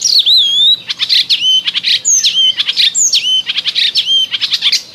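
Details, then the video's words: An icterine warbler sings in spring, loud varied phrases of high slurred whistles dropping in pitch mixed with rapid chattering notes, similar phrases returning about once a second. "Zaganiacz Wiosenny Ptaków Śpiew"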